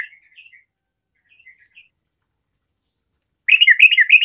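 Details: Sooty-headed bulbul ('garuda' trucukan) in full song, meant to get other bulbuls singing: scattered soft whistled notes with long silences, then a sudden loud burst of quick, rolling, bubbling whistled phrases at the end.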